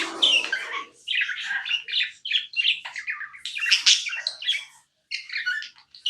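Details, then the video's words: Nonstop chirping from a tame pet budgie: rapid scratchy warbles and squeaky notes follow almost without a break, with a lower rough burst at the start and one short pause late on. "Non stop budgie chirping sounds"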